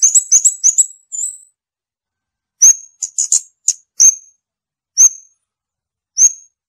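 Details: Scarlet-backed flowerpecker opening with a quick run of high sharp notes and a short buzz, then after a pause several piercing single high notes and a small cluster, spaced roughly a second apart.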